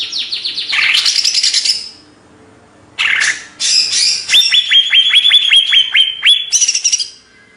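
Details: Greater green leafbird from Banyuwangi, Indonesia, in energetic song. Rapid, rattling bursts of high notes alternate with a run of about a dozen quick, identical upswept whistles, fast and regular, ending in chatter.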